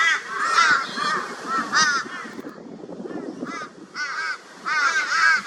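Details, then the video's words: A flock of crows harassing a barn owl in Brisbane, Australia, 22 February 2022; loud raucous caws in bursts with short gaps, several birds calling over one another. "Crow Reacts to Barn Owl with High Volume Raucous Noise"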